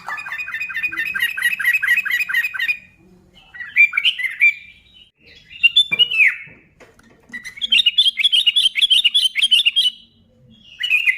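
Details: Sooty-headed bulbul singing vigorously, a recording to goad other bulbuls into singing: a long trilled run of rapid repeated notes, several loud slurred whistles separated by pauses, then another fast chattering series.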